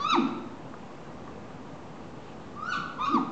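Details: A captive great grey owl at Kobe Kachoen bird park, Japan, begging for food: three short, hoarse, wavering squeals, one at first and two together after a pause, over faint background hiss.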